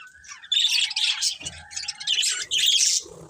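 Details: Budgerigars give loud rasping squawky chirps in bursts about half a second long, separated by short pauses, over faint lower chattering.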